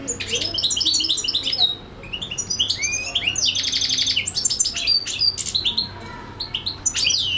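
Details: European goldfinch singing steadily, said to sing for hours non-stop: rapid, varied high twittering with buzzy trills, tinkling notes and liquid rising whistles, dense phrases with brief pauses near two and six seconds.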